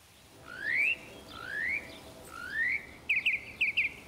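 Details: Northern mockingbird in Texas, a species that mimics other birds and insects, giving three rising slurred whistles, each repeated about a second apart, then a burst of quick, paired chattering notes.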